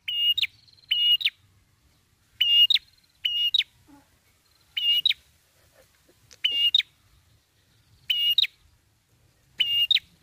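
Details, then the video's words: Lure recording of a red-headed prinia singing in lively 'gacor ngalun' style: short bursts of two or three sharp, hooked whistled notes separated by pauses of one to two seconds, with a quiet background. "suara pikat Prenjak kepala merah gacor ngalun"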